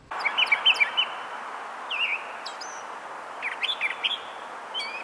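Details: Northern mockingbird, a mimic of other species common in parts of the United States, sings short clusters of bright, varied, melodic chirps and slurred notes, broken by brief pauses, over a steady background hiss.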